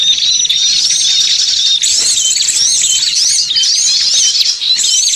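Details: Bird-luring recording of small birds, a crowded mix of sharp high chirps, rising and falling whistles and squeaky twitters layered without pause.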